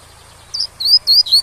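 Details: Four loud, high, drawn-out whistled notes from a Double-collared seedeater's tui-tui song, used to teach young birds, over a quiet continuous water rush.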